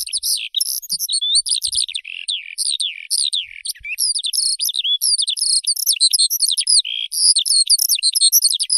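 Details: Continuous high, jangling song of a Eurasian skylark, a rapid run of short chirps, trills and sliding whistles without pause, with a few faint low knocks early on.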